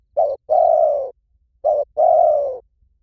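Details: Spotted dove calling in the Liu Tan style, used as a lure so a trained dove will coo back. Two mellow low coo phrases, each a short note then a longer steady one, in quiet surroundings.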